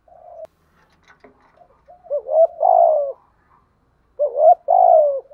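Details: Spotted dove used as a decoy for wild doves: a soft opening hum and faint clicks, then two loud coo phrases of rising note plus long falling coo, about two seconds apart.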